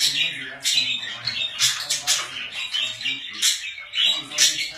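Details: Kept budgies chatter busily with bright, buzzy high chirps and squeaks coming in quick irregular bursts, a brief lull shortly after the midpoint, a low hum underneath.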